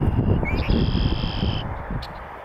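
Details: A North American red-winged blackbird marking its territory at the edge of a beaver pond in the northern USA gives a short rising note, then a steady, ringing, buzzy tone of about a second, over low wind and distant traffic rumble.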